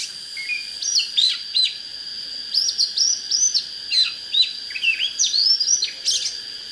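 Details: Oriental magpie-robin song for bird-contest training: clear whistled notes and short rising slurs in separate phrases, some sharp up-sweeps, with a constant high-pitched hum throughout.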